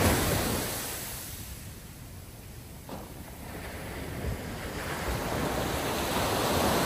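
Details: Steady roar of ocean surf and wind buffeting the microphone at sunrise, with no animal voices standing out.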